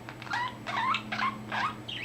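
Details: Pet budgerigar chattering after recently finding its voice; four wavering, warbled phrases with quick up-and-down pitch wiggles, each about a third of a second, separated by short pauses, a faint hum underneath.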